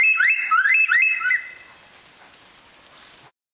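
A lyrebird copies a bush stone-curlew: four eerie, rising whistled wails in quick succession over about a second and a half, then quiet.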